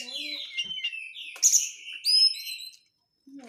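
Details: Oriental magpie-robin lure song with dense crecetan chatter, meant to provoke a bird into singing: harsh buzzy rasps and twitters give way to clear whistled notes and a rising high slur, then a brief pause and a low note.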